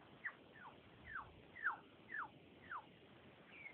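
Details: Unidentified bird heard in the evening at Faulconbridge Point, described as a weird noise; quiet recording with a series of six thin, descending whistled notes, roughly one every half second.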